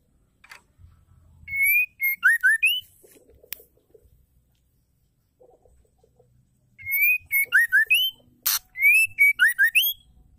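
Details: White-rumped shama female song, used to provoke silent or sluggish males into singing: two bursts of clear whistled phrases, each opening with a sustained rising whistle followed by rapid slurred notes, separated by a quiet gap with faint low chatter.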